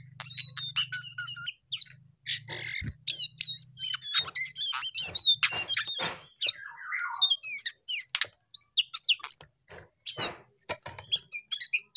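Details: Jongkangan singing actively, a gacor performance: long run of sharp high chirps, short whistles and twittering phrases separated by quick gaps, with a low hum at the start.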